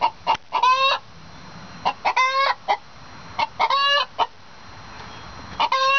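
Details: Two hens singing an egg song in duet, bragging about an egg just laid or about to be laid: short clucks build into loud, drawn-out, strained squawks, coming in bursts roughly every one to two seconds with quiet gaps between.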